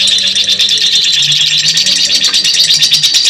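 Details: Short stretch of a lovebird's long ngekek chatter: a shrill, buzzy, rapidly repeated chirping with no pause, over low humming tones.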